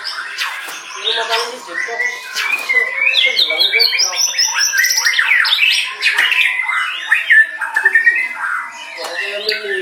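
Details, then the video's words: White-rumped shama (murai batu) singing a varied, fast-changing song of whistles, slurred sweeps and harsh notes, continuous over ten seconds, with busy overlapping sounds behind. "MB CENGLI"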